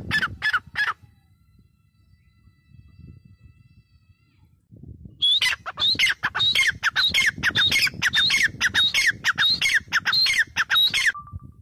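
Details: A grey francolin (Ortygornis pondicerianus) gives loud, harsh, squawking notes in a fast run, nearly two per second, after a brief opening burst and a quiet pause.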